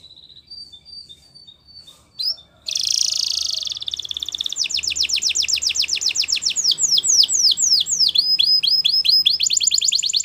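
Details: Belgian canary singing as a tutor for young canaries: faint thin notes at first, then a loud run of rapid descending sweeps, trills and buzzy rolled phrases at high pitch, quickly repeated.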